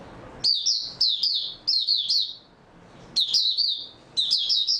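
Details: Recorded 3 March 2022, an oriental white-eye sings lively high-pitched twittering phrases of quick slurred chirps, several bursts about half a second apart, a pause, then two more bursts.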